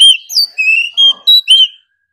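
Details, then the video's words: Competition song of an Oriental magpie-robin, a bird said to sing all day; a quick series of six bright whistles, alternating falling slurs and level held tones, ending abruptly. "Choè than hót đấu déo bổi.kích bổi hót căng.đấu cả ngày.nghe là hót"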